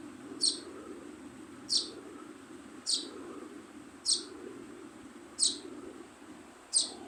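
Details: Baby sparrow repeating a thin, high, sharp chirp six times at steady intervals of a little over a second, against a continuous hiss and low hum.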